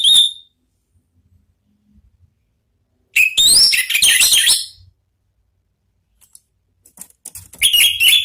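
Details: Orange-headed thrush in ngeplong song: a brief high whistle, silence, then a dense, loud tumble of rising whistled notes, and a final bright phrase starting near the end.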